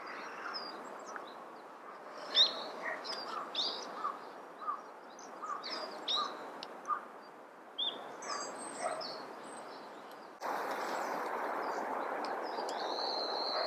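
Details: White-backed woodpecker, wild, in Hokkaido, Japan, giving everyday call notes, recorded with a Nikon COOLPIX P950: sharp, short, clipped notes repeated about every half second, with another bird's thin whistles and a burst of broad background noise near the end.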